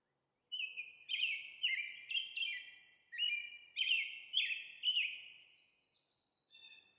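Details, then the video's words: Sustained caroling from an American robin: a string of rich, downward-slurred whistled phrases in quick succession, fading off with a faint note at the end. "American Robin Calling"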